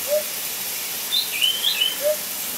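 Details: African hoopoe calling its mate: two soft, low hooting notes about two seconds apart, with brief higher chirps from another bird between them, over a strong steady hiss.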